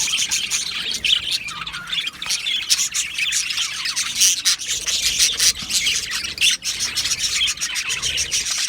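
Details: Australian budgerigars in an aviary colony, recorded 12 July 2025: a dense, continuous chatter of high, scratchy chirps and squawky warbles from many birds overlapping, with no pauses.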